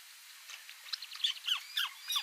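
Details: Bueng Boraphet, Thailand, May 2011: a white-browed crake in a water-lily marsh gives quick, harsh, downward-sweeping chattering notes repeated about every quarter second, each louder than the last.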